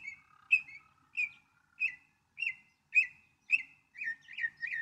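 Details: Northern mockingbird repeating one sharp, slurred chirp roughly every half second, eight or nine times in a row, the last few coming closer together, against a quiet background.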